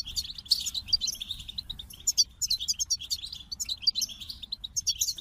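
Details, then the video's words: Goldfinch song in lively bursts: clusters of high, sweet chirps and quick trills split by short gaps, the notes bouncing rhythmically; low background hum. "The Captivating Call of Goldfinches"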